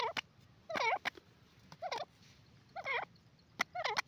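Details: Grey francolin giving a clear, high-pitched call: loud wavering, squealing notes repeated roughly once a second, each introduced by sharp clicks, over a low background hum.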